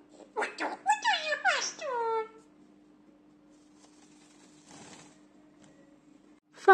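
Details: Two-year-old talking myna kept as a pet repeats learned words: a rapid cluster of speech-like syllables with falling tones lasting about two seconds, then near silence with a faint steady hum.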